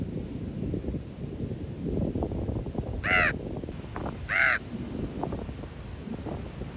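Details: Raven at Ocean Beach, San Francisco, giving two harsh, rasping croaks about a second apart, over steady wind and low rumbling background noise.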